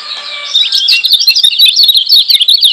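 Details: Energetic Lombok white-eye masteran for provoking rivals: after a soft lead-in, a continuous loud stream of quick, high, jumbled chirps.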